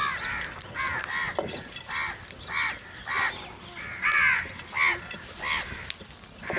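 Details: Crows fighting for food: loud, raspy caws repeated roughly every half second to second, a rapid run of harsh calls with slight pitch bends, in fairly clean outdoor background.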